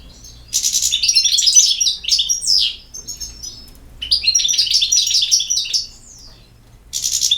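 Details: European goldfinch song in two long phrases of quick, jingling, high chattering notes mixed with slurred whistles, each about two and a half seconds, and a third phrase starting at the end.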